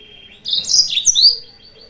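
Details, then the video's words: Yellow-fronted canary song used as a lure to provoke rival birds: one brief, bright twittering phrase of rapid high chirps and trills, framed by a faint steady high tone and low background hum. "PANCINGAN/MASTERAN BURUNG MOZAMBIK"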